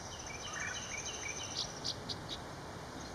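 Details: Northern rough-winged swallow on a wire above the East Branch Perkiomen Creek in Salford Township, Pennsylvania, 21 April 2019, giving four short, high, grating buzz notes in quick succession after some faint thin chirps, with background hum.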